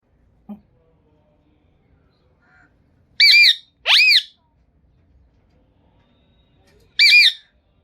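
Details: Green Indian ringneck parrot calling indoors: three loud harsh squawks with stacked harmonics, one sharply rising, spaced over several seconds with quiet gaps between.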